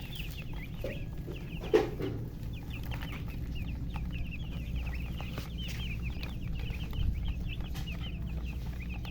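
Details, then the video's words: Chickens keep up busy chirping, with quick thin peeps tumbling over one another throughout. A deep background drone runs underneath, and a brief louder knock sounds near two seconds. "silly chicken chirping sounds with murgi hen color chicken"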